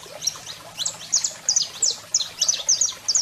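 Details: Singing male saffron finch and calling female: quick high twittering notes, about three per second, sharp downslurred chips in short clusters.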